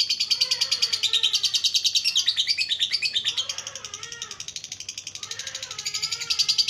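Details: [6, 'yes', 'ngekek song', 'Lovebird tutor song in the ngetik-then-ngekek style, used as a lure to get a lazy lovebird to sing. It is a fast, shrill, rattling chatter of sharp chirps, about three each second, running continuously with rising and falling buzzy trills.']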